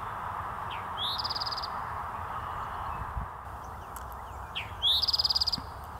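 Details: Eastern towhee singing two phrases about four seconds apart, each a brief sliding introductory note followed by a rapid, ringing trill of evenly repeated notes, over a steady low background hum.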